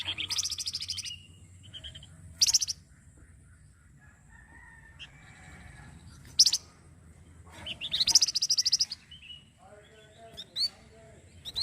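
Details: Flamboyan songbird, used as a masteran model for training other songbirds, giving a varied song: high buzzy rattling bursts, short sharp chirps and quick rising notes separated by brief pauses, over faint low background hum.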